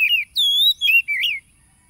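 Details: Oriental magpie-robin song from Tulus Rejo village, Lampung, Indonesia, recorded by phone on 30 July 2022 to rouse caged birds: three clear whistled notes, a dipping one, a long sweet level whistle, then a warbling rise, over a thin high whine.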